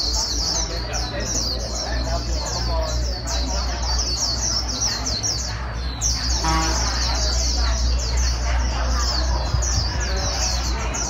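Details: Wild-caught white-eye stimulated to sing fast; a sustained, very high, rapid twittering song with brief dips, accompanied by a loud low hum and a short mid-pitched noise partway through.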